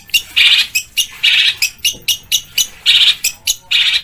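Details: Long-tailed shrike, known locally as cendet or pentet, in a training recording of rough phrases: grating, raspy squawks alternating with short sharp ticks, roughly two loud bursts per second.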